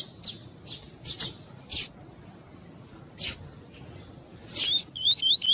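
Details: Captive double-collared seedeater (Sporophila caerulescens), a female calling to excite a male: short, high, sharp chips, irregularly spaced, ending in quick rising-falling whistled notes; faint low hum.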